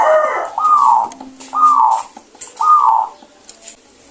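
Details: Zebra dove cooing in a small space: three loud, short, warbling coo phrases about a second apart, slightly descending, with faint background rustle.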